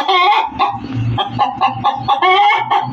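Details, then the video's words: Hen cackling loudly with harsh, bright clucks and short squawks in quick succession, with a steady low hum beneath. "SUARA AYAM BERKOKOK KERAS || suara ayam berkokok betina 10 menit full"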